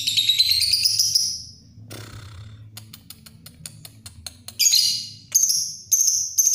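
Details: Lovebird in long ngekek style: two bursts of high, dense chattering trills, then a short noisy rustle and a run of sharp clicks, before more bright chatter bursts return near the end.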